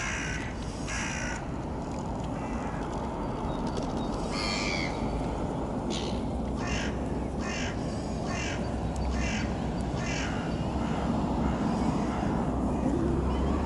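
Eurasian oystercatcher giving loud, shrill piping calls, single and in short bursts, over steady strong wind rumble.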